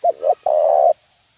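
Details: Zebra dove lure call used to train birds: two short cooing notes followed by one longer, steady, rolling coo, all low and soft, then silence.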